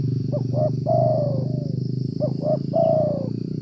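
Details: Spotted Dove (tekukur) cooing at a decoy trapping site in the cold, rainy season. Short paired notes lead into a long, sliding low coo, and the phrase is given twice. A loud low rumbling noise runs throughout.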